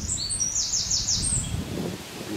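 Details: A Eurasian wren sings in park Oudegein, Nieuwegein, on 6 June 2020, marking its territory: a very high, rapid burst of thin, quickly repeated downslurred notes and trills lasting about a second and a half, over a low outdoor rumble.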